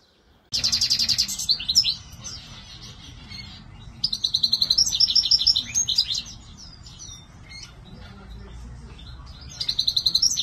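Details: Goldfinch, a captive bird, singing in bursts of fast high twittering, tinkling trills and buzzy notes, separated by quieter pauses with a low background hum.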